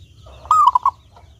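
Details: A single clear song phrase from a local zebra dove kept as a lure for other doves. It is a bright whistled coo that slides up and then ends in three rapid, clipped notes.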